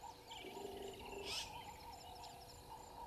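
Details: Woodland kingfisher perched in a tree by the dam wall at Gowrie dam, Djuma Game Reserve, Sabi Sand, South Africa, at 07:56 on 01/03/22, caught by a live waterhole camera: a quick series of high notes sliding downward, over steady insect hum and a sharp burst.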